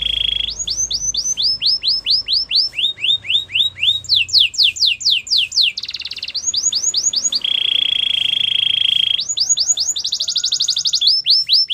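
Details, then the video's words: Gloster canary singing a varied song: series of downward-sweeping whistled notes, fast rolling trills and steady high buzzy tours, each phrase repeated several times, in a quiet indoor setting. "Gloster canary singing"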